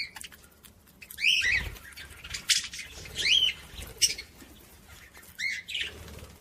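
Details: Budgerigar calls played to stimulate other budgies, rising squeaky whistles and scratchy chirps in spaced bursts about every second or two.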